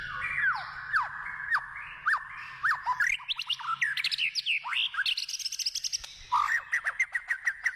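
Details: Wild white-rumped shama in full song: sweeping downslurred whistles open the phrase, then rapid rising notes and buzzy trills, closing with a quick series of clipped chirps.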